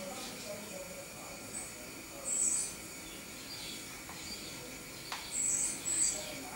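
Great tit giving thin, very high-pitched call notes in three brief bursts, one alone and then two close together, over a soft steady background hiss.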